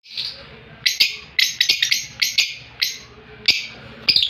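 Opaline lovebird giving sharp, high, shrill chirps in quick irregular bursts, a few every second, with a faint low background hum.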